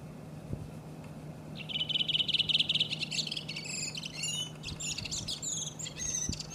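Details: A Redwing singing in Iceland in April, where it was the commonest bird: a rapid, rattling twitter, then a run of high, varied squeaky chirps, over a faint low hum.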